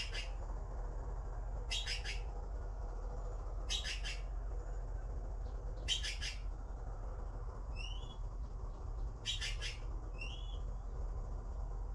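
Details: Baby blue magpies waiting for food give five rasping triple bursts about every two seconds. Soft downslurred whistles follow near the end, over continuous low background noise.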